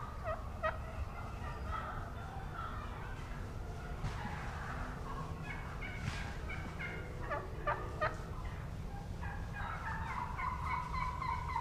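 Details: On 3/30/17, jakes (juvenile male wild turkeys) yelp on the ground beneath a young hen roosting on a limb, in raspy, overlapping, quick irregular series. The hen gives soft tree yelps before flying down, and other hens yelp in the background.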